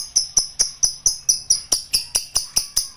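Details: Lovebird in the 'ngekek panjang' long trill, sounding as regular, high, metallic clicked notes about four per second, each with a clear ringing tone.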